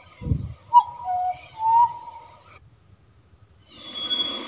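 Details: Melodious song of a wild hooded butcherbird: a low thump, then a few smooth, flute-like whistled notes held level, a silent gap, and faint high hissing noise at the end.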